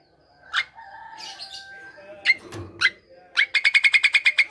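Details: Javan myna song meant to make other mynas sing: scattered rising squeaks and thin drawn-out whistles, a brief noisy rustle, then a fast steady rattle of sharp repeated notes.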